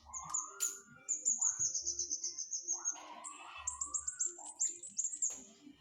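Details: A flowerpecker in vigorous song gives long, rapid series of very high, thin, sharp ticks, several runs in a row, over lower rising slurred whistles from another bird in the background.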